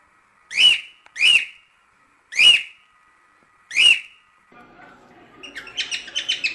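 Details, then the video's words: Cockatiel singing to teach its chicks: four bright whistled notes with rising-falling shape in quick succession, then a burst of rapid stacked chattering notes building toward the end. "CALOPSITA CANTO TREINAMENTO PARA ENSINAR FILHOTES"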